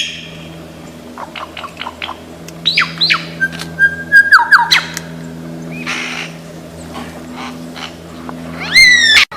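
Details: A lyrebird of Australian forest, famed as a mimic of many voices, gives soft ticking notes, then a burst of quick down-slurred whistles and a flat whistle. A loud harmonic rising-and-falling call closes the passage.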